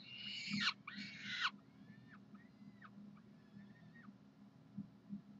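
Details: Saturday-morning food calling by University of Calgary peregrine falcons, 9 June 2012: two loud, grating screams open the recording, then thinner, fainter wailing calls follow, with a constant low background hum.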